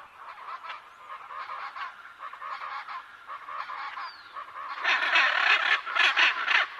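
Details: Macaw giving dense, overlapping harsh squawks in a steady run. The calls grow louder and more crowded toward the end, like several birds calling together.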